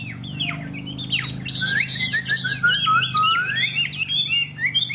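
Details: Newly arrived Chinese hwamei, at noon in rain, sings a rich, fast run of varied whistles, slurred upsweeps and chattering phrases, with a steady low hum underneath.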